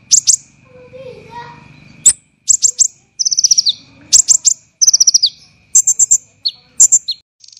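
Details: Olive-backed sunbird tutor song in rough, tight 'tembakan' delivery: scattered sharp chips, two fast descending trills, quick high whistles and single squeaks, separated by brief pauses, with faint low murmuring early on.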